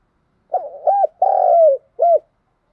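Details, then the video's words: A single spotted dove phrase: soft hooting coos in a four-part pattern, with a long, sustained third note that sags at its end and a crisp closing coo, clean and without background noise. "Cu gáy kích bổi nhanh nổi gù"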